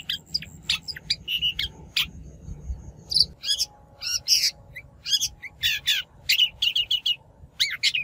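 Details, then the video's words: Shrike lure recording, natural voice for trapping: mixed chattering phrases, harsh buzzy notes and whistled slurs in a busy continuous sequence. "Tiếng chim Bách Thanh mồi"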